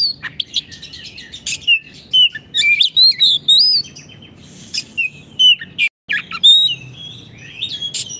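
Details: An actively singing Oriental magpie-robin, played to teach caged birds that have gone quiet: sweet rising and falling whistles with scattered harsh clicks, a brief pause near the middle, and faint background hum.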